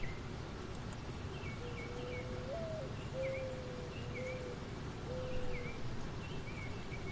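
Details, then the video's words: A male mourning dove in Hartsville, South Carolina, puffs its chest and gives its mate-attracting call: a soft, low, mournful coo, one rising note then several level hoots over about four seconds, with faint high chirps and low rumble behind. "Mourning Dove Calling"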